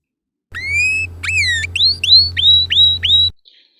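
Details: Canary song at normal temperature, from a birdsong physics study: a long rising whistle, then a swift series of about six bright upswept notes near the top of the voice, over a low steady hum.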